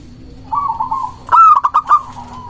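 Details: Local zebra dove singing as a lure for other doves and rivals: a soft rolling trill leads into a loud phrase of a clear sustained coo and four short bubbling notes, trailing off into a gentle purr.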